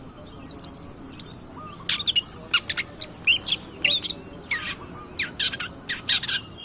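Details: Lively long-tailed shrike of the 'pastol' type, used as a lure to rouse other birds: a fast, varied stream of chips, squeaky whistles and harsh scratchy notes, densely packed and uneven in rhythm.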